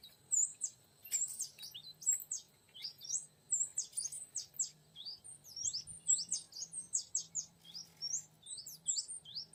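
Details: Oriental magpie-robin phrases used to attract a young wild male: rapid, varied high whistles and slurred notes in dense runs, backed by a faint steady low hum.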